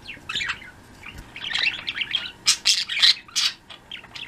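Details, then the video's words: Pet budgie flock in the afternoon, chirping and trilling together: dense overlapping bursts of scratchy chirps and warbles, rapid and irregular, with a few louder sharp squawks. "budgies; afternoon chirps"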